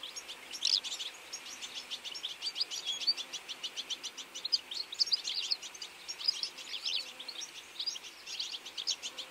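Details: Feeding flock of European goldfinches in autumn; a steady stream of quick, high tinkling chirps from many birds overlapping continuously.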